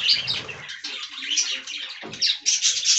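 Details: Budgerigars in an aviary while eating fresh green leaves: a dense, continuous chattering warble of high squeaky chirps and trills overlapping, with louder bursts of sharp notes near the end.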